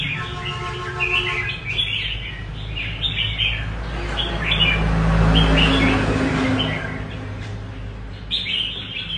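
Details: Red-whiskered bulbul, rê cầu style song: chirped warbling phrases in repeated bursts, partly masked midway by a swelling rushing noise, with a low hum at the start and phrases returning clearly at the end.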